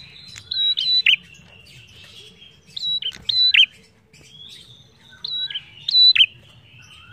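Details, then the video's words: Prinia singing energetically, its song used to coax other birds into singing; clusters of piercing, high chirps and quick downward-slurred notes arrive in three bursts separated by pauses, over a faint low rumble. "PRENJAK GACOR ENAK BUAT PANCINGAN BUNYI"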